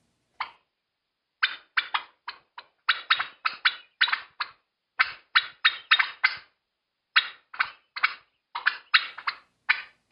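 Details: Wild Turkey in Kentucky woods gives its 'putt' alarm when startled by a person coming over a rise: sharp, abrupt, high, fast notes, about two a second in uneven bursts with brief silent gaps, warning others something's wrong, often while running away.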